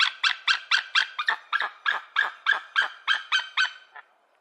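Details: An eagle gives a loud series of about fourteen harsh, yelping notes, repeated roughly every quarter second and fading at the end, with no other sounds.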